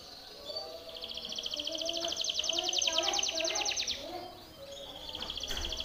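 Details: Timbrado canary training song: a fast rolling trill of repeated high notes for several seconds, pausing, then resuming, with murmuring voices and low sounds behind.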